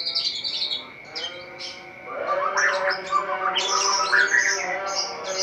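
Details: Dawn singing of a caged white-rumped shama: scattered high chips at first, then after a short lull a fuller run of quick whistled and chattering notes, varied and rapid, over faint steady hum.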